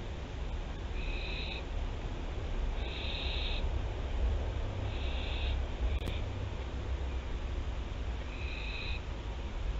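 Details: Nest webcam at Théding, France, 24 September 2021: a barn owl gives five raspy, snoring hisses at uneven intervals, plus a brief click midway, over constant deep background hum.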